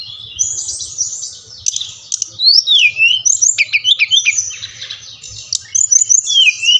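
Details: Brown-chested jungle flycatcher from Bali, in a recording played to prompt lazy captive birds to sing. It gives a rich, varied run of high whistles, slurred sweeps and chattering notes that rise and fall quickly, over a faint low hum.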